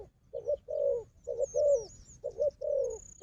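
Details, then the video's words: Wild dove, described as a strong fighter, facing a decoy dove: low hoarse coos in paired bursts, six notes in about three seconds, with faint thin chirps of small birds high above. "លលកព្រៃនេះខ្លាំងខាងជល់ ធ្នាក់ក៏ខ្លាំង"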